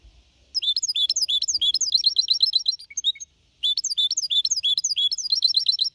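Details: Goldfinch hybrid (mixto), a young bird of four and a half months, singing clean Malaga-copy style song to motivate other birds: fast, varied high twittering phrases of sharp notes, a brief pause near three seconds, then the twittering resumes.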